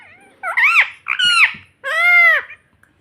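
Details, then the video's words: Pet ringneck parrot vocalizing indoors: three strong, buzzy harmonic phrases, the first two bending up and down, the last a longer steady drawn-out note, with quiet pauses between. "Parrot Talking Mummy Mummy || Bolne Wala Tota || Talking Parrot 🦜 Mitthu Mitthu"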